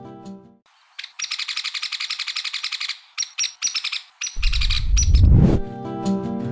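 Rufous Piculet giving high, sharp notes in a fast chattering run, then a few scattered notes. Music is heard at the start and end, with a brief loud rumble.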